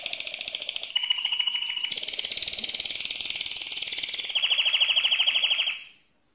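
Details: Mosaic canary singing loudly: a run of rapid buzzy trills in distinct tours, each held steady then jumping to a new pitch, ending with a fast pulsing rattle before abrupt silence.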